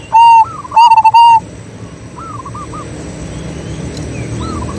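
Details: A local zebra dove gives a loud burst of soft, rolling cooing notes, then quieter answering coos follow over a low hum of background noise; such calls are used to lure and stimulate other doves.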